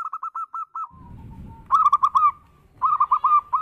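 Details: Local zebra dove, berayun singing style meant to draw in other doves: evenly spaced cooing notes, a stretch of soft rumble, then two rolling bursts of quick coos.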